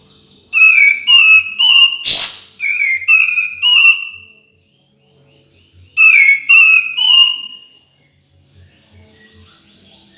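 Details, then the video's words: Cream-vented bulbul song used as a prompt for birds that rarely sing: two bursts of liquid whistled notes, four to five per phrase, separated by several seconds of quiet, with a sharp click between notes. "PANCINGAN DAN TERAPI KAPAS TEMBAK KURANG GACOR DAN MALAS BUNYI"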